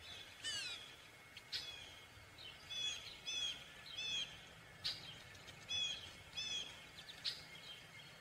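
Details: Gray catbird giving varied chirps, short whistled slurs and squeaky notes spaced irregularly, some phrases repeated, against a noisy, hissy background.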